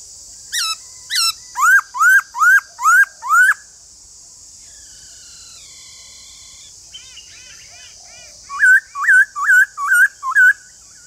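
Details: White-cheeked laughingthrush singing: a run of six loud, clear whistled notes, each swooping upward, then softer chatter and a second burst of six rising slurred whistles, over a steady high hiss.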